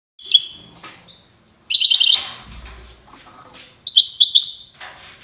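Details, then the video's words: European goldfinch from Safi, Morocco, singing in the Widani style: short bursts of bright, buzzy twittering trills separated by pauses, with faint low rumbling between phrases. "حسون ويداني"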